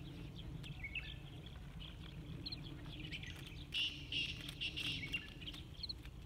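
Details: Sind woodpecker in Minab, southeast Iran, 15 April 2019, giving a short run of sharp, high calls late in the clip, over a steady low rumble; a male Black Francolin sings in the background, faint chirping earlier.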